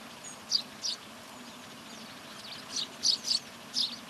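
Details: Eurasian tree sparrows at Recke, Germany, in November 2021 give about six short, high chirps, some in quick pairs, spread unevenly over four seconds against a steady outdoor hiss.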